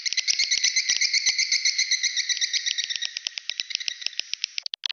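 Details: Swiftlet calls played to attract swiftlets: a dense, steady stream of rapid high chirps, about four per second, fading toward the end.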